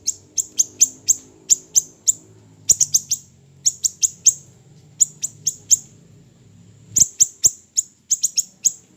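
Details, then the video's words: Small siri-siri bird in a training recording for songbirds: sharp, high, downward-sweeping chips given in quick bursts, with short pauses between runs and a faint low hum underneath. "MASTERAN HANDAL burung siri siri kecil"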